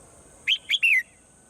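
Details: Morning call of a swallow: two short chirps and a longer downslurred whistle in under a second, sharp and clear above a faint continuous hiss.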